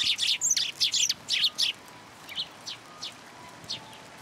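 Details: Sparrows come to be fed at a platform at a Tenmangu shrine on 16 February 2023. A rapid string of bright chirps fills the first two seconds, then fainter single chirps follow at intervals.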